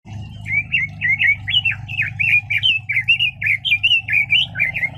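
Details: A red-billed leiothrix sings an unbroken, energetic phrase of springy, up-and-down whistled notes, roughly four per second for five seconds, over a steady low hum.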